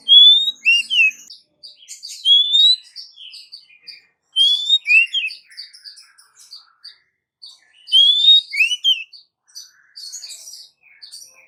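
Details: Female Oriental magpie-robin calling the male, used as a lure: rising whistles with short swooping notes repeat every few seconds over a busy bed of soft rapid chirps and twitters.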